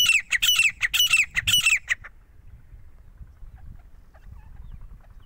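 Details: A grey francolin in Punjab gives four loud, harsh, ringing notes in quick succession, each with a rising twist, over about two seconds, then stops; faint background noise follows.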